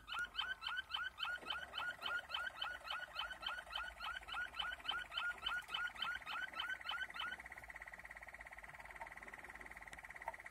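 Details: Waterslager canary (Malinois) singing rapid, even rolls of water-like notes, about three to four per second, then shifting into a steady buzzy trill near the end.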